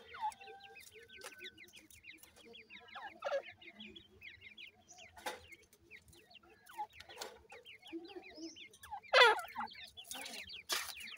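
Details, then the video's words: New-season francolin (teetar) chicks giving rapid, high, descending cheeps in dense overlapping runs, with a few steadier whistled notes early on, scattered loud clicks and thumps, and low clucking underneath. "pheasant teetar bird new season new chicks"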